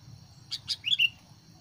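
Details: Sooty-headed bulbul used as a decoy to provoke fights with wild birds: two sharp chirps followed by two short down-slurred whistled notes, over a steady low hum.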